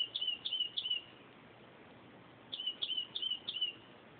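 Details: At 2:30 am a northern mockingbird delivers rapid sets of three and four high, thin, slightly falling chirped whistles, the sets separated by a silence of about one and a half seconds, over soft noise.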